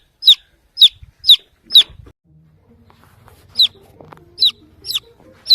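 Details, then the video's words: Baby chicken chirping in search of its mother hen, four rapid high falling peeps, a quieter spell with faint low background noise, then further spaced peeps. "baby chick sound | chirping | looking for mother hen"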